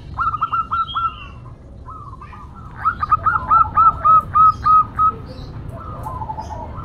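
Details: Female local zebra dove calling a male gives a few soft notes, then a crisp run of about ten clipped, evenly spaced cooing notes that hold one pitch.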